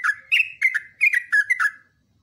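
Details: Continuous song of a yellow-vented bulbul, used as a training recording: a fast string of bubbly, slurred notes that rise and fall in quick succession, then stop abruptly.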